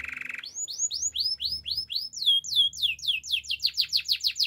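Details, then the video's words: Gloster canary singing for training canaries: a short low buzzy roll opens, followed by repeated rising-then-falling whistled slurs that quicken into a fast, evenly pulsed series of sharp notes. "Gloster canary singing"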